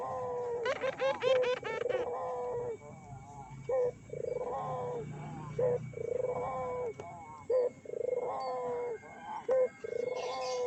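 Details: Lure recording of Barbary doves meant to make other doves call: a quick run of trilled coos opens, then steady rolling coos with long falling tails repeat about every one and a half seconds over faint hum.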